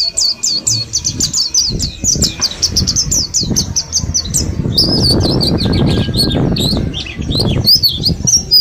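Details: Group-caged Mountain white-eyes from Mount Slamet, ten days into learning ngalas song, open with a quick series of high falling chirps, then keep chirping as loud low fluttering and rustling noise takes over.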